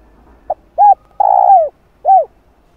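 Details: Spotted dove phrase played to entice wild doves into answering: a brief soft tick, a rounded coo, a long buzzy sustained coo dropping in pitch, then a final arched coo.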